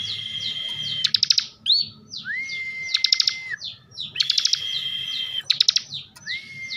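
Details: Energetic 'bren' song of a caged bar-winged prinia from Slawi, Central Java: short downslurred chirps, held whistles at two pitches and repeated bursts of rapid clicks in quick succession.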